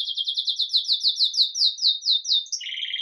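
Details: Live recording of a red mosaic agate Belgian canary in bell song, lively at daybreak: a quick run of repeated trilled notes gradually slowing, then a sharp upward note and a lower rasping rattle.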